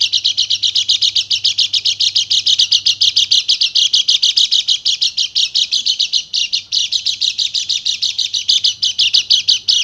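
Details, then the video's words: Bali white-eye delivering nonstop rapid-fire 'nembak' song, used to make silent birds sing: a loud, continuous, high, pulsing chatter of very fast repeated notes lasting the whole ten seconds, with a faint hum underneath. "PANCINGAN PLECI MACET BUNYI JADI EMOSI DAN GACOR"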